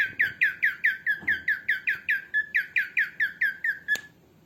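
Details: Female cockatiel heard in a small room, used to train cockatiels. It gives an unbroken string of about seventeen rasping, down-slurred squawks at a quick, even pace of roughly four per second. A sharp click follows, then quiet.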